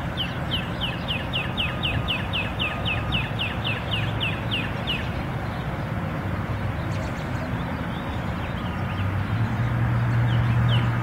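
A bird gives a rapid run of high, down-slurred notes, about four per second, over a steady low rumble of traffic.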